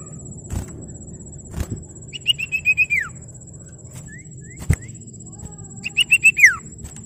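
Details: Common iora calling rivals: two phrases of five or six rapid ringing whistles, each ending in a descending slur, with a couple of soft upslurred notes between them and occasional sharp clicks.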